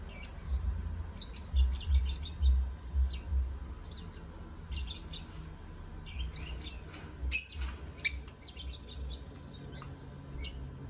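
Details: Lovebirds singing to stimulate other birds: busy soft high twittering in clusters throughout, two loud sharp shrieks near seven and eight seconds, over a low rumbling hum.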